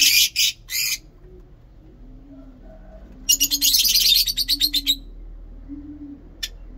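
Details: Lovebird opens with three harsh squawks, pauses, then bursts into a fast buzzy ngekek chatter lasting nearly two seconds before fading out. A faint low hum continues in the background.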